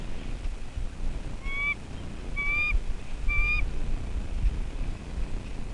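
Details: A newly hatched bald eagle chick in its nest at Two Harbors, Catalina, California, USA (11-4-23) gives three short, slightly rising whistled chirps about a second apart, over a steady low rumble of wind.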